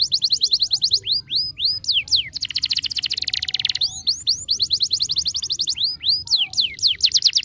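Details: Canary song played to stimulate a lazy canary. It opens with rapid repeated whistled notes and curved slurs, moves into a dense buzzy roll near the middle, then returns to quick looping notes. It is loud and unbroken.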